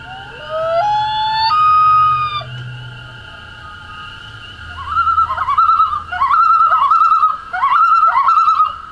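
A common loon gives a long, rising, mournful wail, then a run of quick, wavering, yodel-like notes repeated in bursts.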